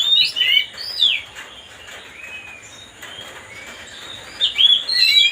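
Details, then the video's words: Oriental magpie-robin song meant to agitate another bird: short bursts of sweet whistled slurs at the start and end, separated by a quiet gap with only faint background noise. "mancing suara kacer biar emosi"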